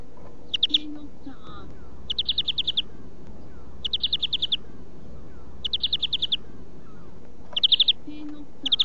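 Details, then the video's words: European greenfinch song-training (huylandırma) recording, tagged as the kekeme style: short, rapid buzzy trill bursts, each about half a second long, repeated roughly every two seconds, with faint low tonal sounds between them. "Flurya Huylandırma 150"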